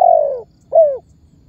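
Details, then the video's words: Spotted dove lure calling, given to set other birds calling. Two low mellow coos: a long sliding coo followed by a shorter coo that rises and then falls. "SUARA BURUNG TEKUKUR MEMANGGIL DAN MENEKAN MEMBUAT BURUNG LAIN IKUTAN BUNYI"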